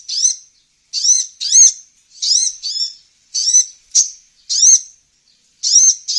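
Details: Olive-backed sunbird (kolibri ninja) recording used to attract wild birds: short buzzy arched notes, often paired, about fifty a minute at uneven spacing, high and clear.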